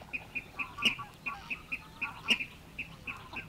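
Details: Water Rail at Matsalu reed beds, USSR, from a 1979 vinyl field recording; quick high clipped notes in an irregular sequence, two louder accented ones among softer ones, with light crackle and faint background noise.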